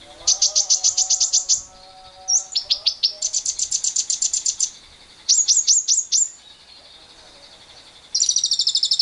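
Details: Long lovebird ngekek trilling, used as a lure for other lovebirds, heard with wild birds: extended rapid high-pitched rattles, some sharp descending chirps, soft lower whistled tones underneath early on, and a final shrill burst.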